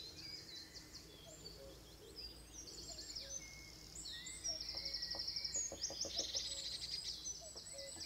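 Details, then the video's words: A robin sings a high, thin warbling song with clear whistled phrases, overlapping the busy twittering of other small birds and soft outdoor background noise. "robin bird"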